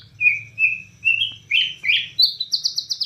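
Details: White-rumped shama from Borneo singing in gacor style, nembak cililin: a series of clear sliding whistles repeated about every half second, climbing higher and quickening into rapid bright chips at the end, with a low hum beneath.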